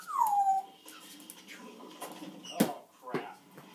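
An African grey parrot gives one clear whistle that slides down, then a few quieter scratchy sounds and two brief sharp noises.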